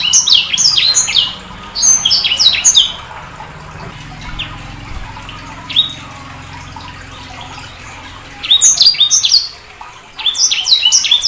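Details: Spells of fast, high chirping and whistling from a sanger bird, broken by several seconds with only isolated notes over a low, running-water-like background hiss.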